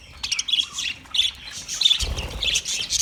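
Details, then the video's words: A budgie warbles in quick, high whistled chirps and squeaky notes, roughly one or two per second, over soft low rumbling. "Best Sounds Of Budgie Bird"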